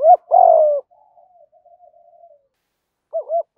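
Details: Spotted doves, male and female, calling to rouse training birds: a long husky coo trailing into faint soft murmurs, then a fresh double coo beginning near the end.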